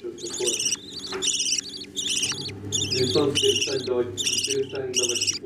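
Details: Budgerigars feeding their chicks give about seven high, raspy chattering bursts, each roughly half a second long, over a low steady hum, with a person speaking Russian afterwards.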